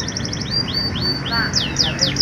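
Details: Canary song played to encourage reluctant canaries to sing: a quick series of clear whistled notes, each sliding downward, repeated about every quarter second and growing louder toward the end, over faint low background noise.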